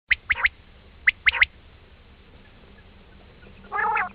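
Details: Quail calls used as a hunting lure in Pakistan: quick clipped triplets of sharp notes, two groups a second apart, then a brief harsh nasal burst near the end.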